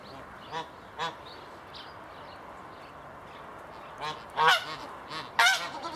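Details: Swan geese, a captive pair recently moved into an open outdoor aviary, give nasal, harmonic honks: two softer single honks early on, then a louder cluster of three or four honks near the end over steady low background noise.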